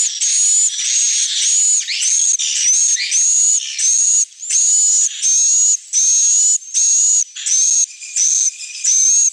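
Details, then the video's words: Swiftlet evening roosting lure: loud, buzzy, high chirruping bursts, each about half a second long, repeated roughly every three quarters of a second. A thin steady whistle tone runs through each burst, and short downward sweeps trail after them. "SUARA BURUNG WALET - INAP SENJA"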